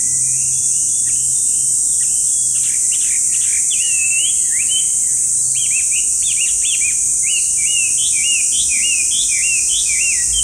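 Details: Chinese hwamei, a loud park bird that is hard to spot, starts with scattered whistles, then repeats quick looping upslurred notes several times a second, under a strong high insect drone.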